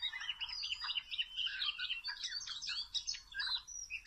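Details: Wild Oriental magpie-robin at a trap set with small ropes: a lively run of short whistled notes and chirps, some slurred downward, delivered in quick bursts with brief gaps.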